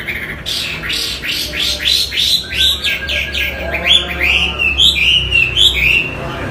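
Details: Chinese hwamei (wambi) pouring out a fast series of short downward-sweeping notes, several per second, then varied bright whistled phrases bouncing between high and mid pitch, over a low hum.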